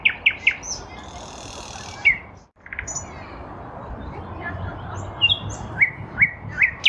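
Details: Nightingale in a lilac bush, spring 2023: quick sharp notes, a buzzy rasping stretch, a short pause, then scattered whistles building into a series of crisp repeated notes.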